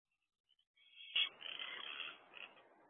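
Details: A barn owl owlet in a nest box at night, 4:06 am on 6/1/23, during a wing display. Faint thin notes lead into a harsh, rasping hiss-screech that lasts close to two seconds and fades at the end.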